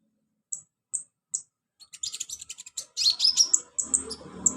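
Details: Caged sunbird (kolibri ninja) song, used as therapy to prompt a reluctant bird to sing: three separate very high thin chips, then a fast jumble of sharp twittering notes with faint background hum.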